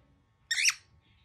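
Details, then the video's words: A single loud, harsh screech from a very angry baby cockatiel, lasting about a quarter second over a quiet indoor background. "Baby bird -very angry cockatiel"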